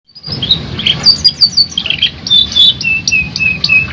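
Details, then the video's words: Canary singing in a lively, continuous manner: a loose series of short high chirps and thin whistled notes, some held briefly and falling slightly, over a faint low background hum. "KENARI GACOR NGEROL NEMBAK | CANARY SINGING"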